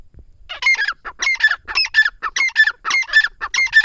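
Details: A grey francolin (teetar) from Dera Ghazi Khan, Pakistan, repeats a harsh three-part grating phrase about every half second, each phrase rising then dropping, after a quiet start.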